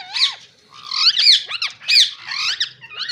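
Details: Green Indian ringneck parrots screeching almost continuously, with loud, shrill, looping notes that rise and fall in quick succession and overlap one another.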